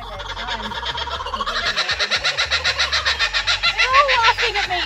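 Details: In early December in Australia, kookaburras break into their loud, cackling laugh, a rapid run of harsh hooting notes about three or four a second that builds in intensity, with faint speech underneath.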